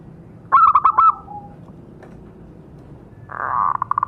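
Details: Zebra dove call used as a lure to provoke captive birds into calling: a quick burst of five staccato cooing pulses with a short trailing note, then after a pause a second rapid rolling coo.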